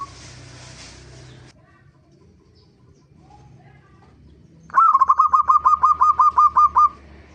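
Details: Lure song of a zebra dove, intended to make birds sing: after several seconds of low background noise, one bright burst of about a dozen rapid, bouncy cooing notes, evenly paced, with a faint hum beneath.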